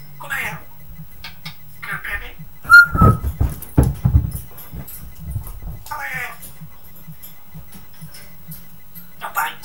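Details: Pet Geordie parrot at home, calling the dog names: short raspy speech-like bursts, with one clear whistled note partway through and low thumping household noise between utterances.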